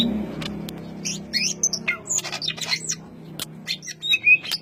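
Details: Ngentrok song of a greater green leafbird: dense bursts of high, scratchy chirps and short upward-sweeping notes at an uneven quick pace, louder toward the end, over a low hum.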